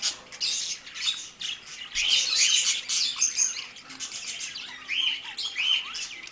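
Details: Two pet budgerigars chattering together, a dense, scratchy warble of rapid chirps and squawks running almost without pause, with short bright whistled notes mixed in.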